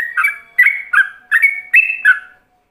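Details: Ropelan song of a yellow-vented bulbul, played as a lure for other bulbuls to imitate. Five bright bursts arrive roughly every half second, each a clear whistle that drops into a warbled lower note, then the phrase stops.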